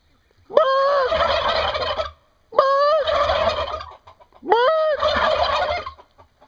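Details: Three loud turkey gobbles in a row, about two seconds apart, each starting with a sharp upward note that flattens into a long fast, rattling babble lasting over a second.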